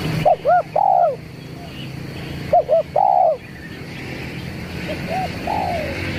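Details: Zebra dove call used for luring: clustered short arched coos ending in a longer falling note, repeated about every two and a half seconds, with a fainter echoing phrase near the end against steady background hiss.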